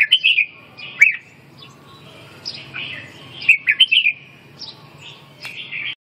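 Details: Red-whiskered bulbul singing quick rollicking whistled phrases, loud bubbling notes at the start and middle, softer slurred notes between, faint low hum behind.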